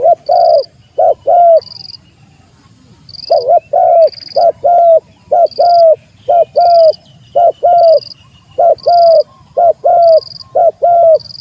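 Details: Spotted dove giving its rival-challenging call, a fast continuous run of arched cooing notes in short groups, nearly unbroken for the whole stretch, over a regular high pulsed chirp.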